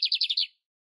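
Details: Lined seedeater, singing in nature: a brief fragment of five rapid, rasping high buzzy notes that end in silence.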